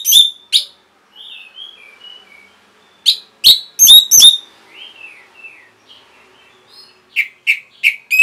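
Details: Orange-headed thrush singing, used to train caged birds to sing. Crisp, loud, clipped notes come in irregular groups, mixed with soft, sliding whistles, and end in a run of four quick chirps.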